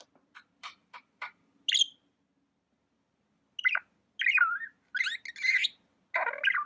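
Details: Tame budgerigar starting with a series of quick clicks, a high chirp, a pause, then a lively run of warbled, twisting chirps and a harsher chattering burst at the end.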